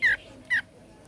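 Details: Sooty-headed bulbul singing in ngebren style: two loud, clear whistled notes, each sliding quickly downward, about half a second apart, over faint background hiss.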